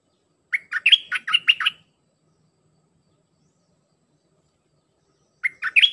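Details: Red-whiskered bulbul kept for training young birds, singing a dense song of 'dok' notes: a rapid run of about six bright, chopped whistles, then a long silence, then the next phrase begins.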